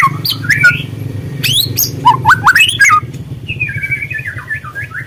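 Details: White-rumped shama (murai trotol) lure song meant to stir birds into singing: sweet whistled phrases rising and falling near the start, then a quick run of upslurred notes and a softer warbled ending, over a steady low hum.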